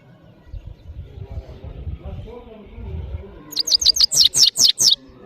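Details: Powerful song of a European goldfinch, called saira, from Parachinar: low muffled background at first, then around eight sharp, high, descending chirps in quick succession.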